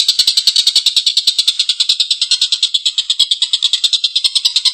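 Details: A collared kingfisher, recorded as a training tape for songbirds, utters its long rough laugh, a rapid train of scratchy, buzzing notes at a fairly steady rhythm.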